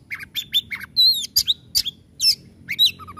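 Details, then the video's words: White-rumped shama (kacer) in heated song meant to spur lazy birds into singing: clear down-slurred whistles and looping notes alternating with coarse rasping chatter and a few low soft chips at the end. "Suara Tembakan kacer Gacor bikin kacer lelet langsung on dan gacor"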